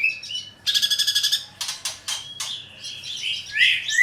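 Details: Greater green leafbird (cucak ijo) master song in the 'greja tarung' fighting style for training birds: a rapid buzzy rattle, then separate sharp chips, a thin whistle, and varied twittering that ends in rising squeaky slurs.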